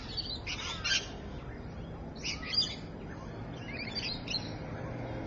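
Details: Rainbow lorikeets at Evans Head, recorded 26 May 2012: harsh, buzzy screeches in three bursts about two seconds apart, over low steady background noise.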